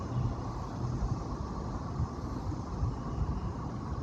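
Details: Steady low rumbling noise like a passing engine, with no animal voice heard.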